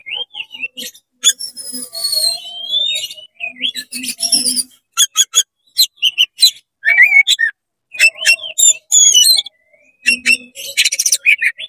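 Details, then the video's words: Oriental magpie-robin singing energetically with its tail fanned, a song meant to provoke other magpie-robins; rapid varied medley of sharp rising whistles, slurred notes and buzzy chatter in quick bursts with brief pauses. "CEPAT GACOR BUKA EKOR DONGKRAK EMOSI KACER KONSLET BIKIN KACER LAIN PANAS"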